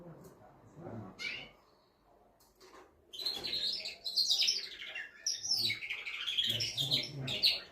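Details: A male canary, singing to stimulate a female before mating, is quiet at first with low murmuring background. It then breaks into a loud tumbling run of buzzy trills and whistles.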